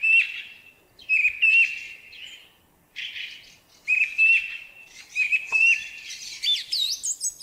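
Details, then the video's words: Song thrush in spring delivering clear whistled phrases, each short motif repeated two or three times, rising and falling, then a burst of high, quickly varied chirps and twittering notes at the end. "Великолепное Пение певчего Дрозда!"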